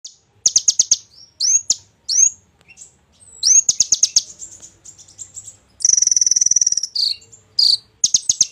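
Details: Golden-fronted leafbird in full, lively song packed with learned imitations: bursts of rapid high trills, quick upward-sweeping whistles and a long buzzy rattle near the middle, phrases changing every second or so with short pauses between.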